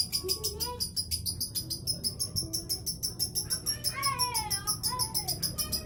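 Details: Lovebird in long chattering (ngekek panjang): harsh, rapid high-pitched notes repeated about three times a second, mixed with a few lower whistled slurs in the background.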